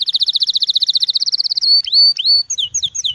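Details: Small bird giving a very fast, even rattling trill of high notes for about one and a half seconds, then rising slurred whistles and brief chirps, loud and clear.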